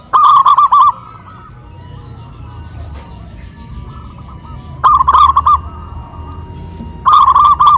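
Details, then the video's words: Zebra doves hoisted on poles in Kuningan, West Java, comparing big-voiced and crystal-voiced local birds. Three loud bursts of rapid, trilling coos, separated by long gaps of faint, distant cooing and low background noise. "PERKUTUT LOKAL SUARA BESAR VS SUARA KRISTAL"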